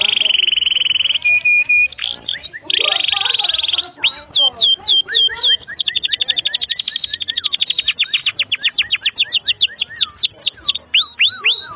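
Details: Domestic canary in a long, energetic tutor song for young or stalled birds: a steady high buzzy trill, then rapid upswept whistled notes repeated about four per second, with a lower rolling trill in places.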